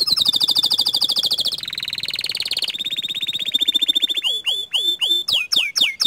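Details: Domestic canary in full, energetic song: long buzzy trills held near one pitch, a rapid rattling roll, then a run of sharply falling whistled notes repeated about three times a second.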